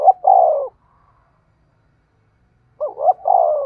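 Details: Spotted dove decoy calling to draw wild doves into a trap. A long, falling coo ends one phrase, then after a pause a new phrase of two rising hoots and a sustained, sliding coo.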